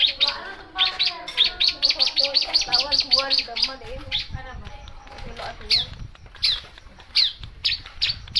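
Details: Long-tailed shrike pouring out a fast run of high, clipped chirps, then slower, spaced sharp notes with rising inflections, over soft lower warbling sounds.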